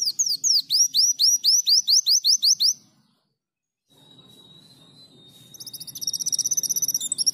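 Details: Sunbird song used as a tutor recording for training songbirds: a fast series of high, clear down-slurred whistles about eight times a second, a pause, a long thin steady note, then rapid high trilled phrases.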